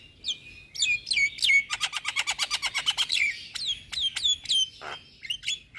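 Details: Javan myna singing in a full nodding display, played to lure and calm moulting mynas: sharp descending whistled notes, then a fast run of about a dozen even chattering pulses, followed by more falling whistles.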